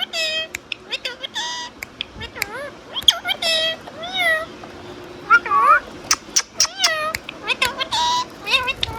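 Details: Talking pet Indian ringneck parakeet: a busy stream of nasal, speech-like syllables and looping whistled chirps, with short clicking snaps between phrases, continuous through the recording.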